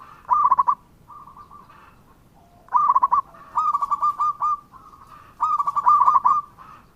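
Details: Local zebra dove singing: loud bursts of rapid, stuttering, mid-pitched coos, each about half a second, alternating with softer even coo series from a second, more distant dove.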